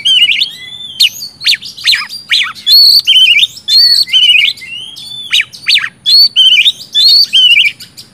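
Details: Kacer song from an oriental magpie-robin, played to stimulate birds that have stopped singing: clear whistled motifs repeated more than twice a second, mixed with harsh chattering bursts.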